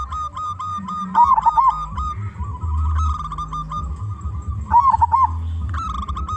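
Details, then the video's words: Local zebra dove with a loud voice, used as a lure for other zebra doves: rolling coo phrases over a sustained steady tone, with a low droning hum in the background. "Perkutut Lokal Gacor Suara Besar"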